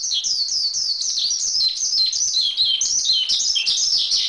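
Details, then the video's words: High-pitched Javan pied starling song from a master track for training songbirds, a busy tumble of twittering notes and falling whistles in an unbroken run. "Masteran Suara Jalak Suren"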